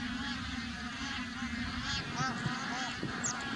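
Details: Flock of bar-headed geese on Pong Lake, several birds honking in quick, uneven, overlapping nasal notes with curved, slightly rising-then-falling tones, set against a steady low mechanical hum.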